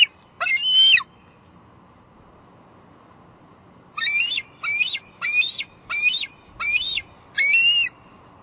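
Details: At the Two Harbors nest, a female bald eagle gives one shrill squeal, falls silent for about three seconds, then gives six evenly spaced high squeals. Recorded on a live nest camera on 24 July 2022.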